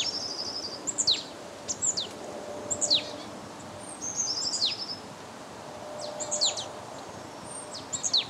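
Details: Marsh Tit in Limousin in winter, during a cold wave from Russia on 8 February 2012, gives sharp, high, downslurred 'pitchoo' notes mixed with short buzzy chatters, irregularly every second or two over a soft hiss.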